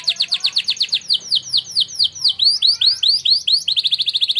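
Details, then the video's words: Champion contest canary singing a training song: rapid repeated downward-slurred high notes, about two per second, quickening into a dense bright trill at the end. "canary training song"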